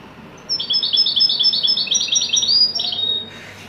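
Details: European goldfinch in full Wydani-style song, a fast, continuous run of bright, tinkling twitters and liquid chirps lasting nearly three seconds, ending on a slightly longer sweeping note.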